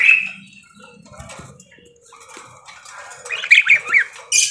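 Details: Lively parakeet starting with a brief shrill squeak, then quiet rustling, then a quick series of scratchy chirps and chatter, ending in a hiss-like burst.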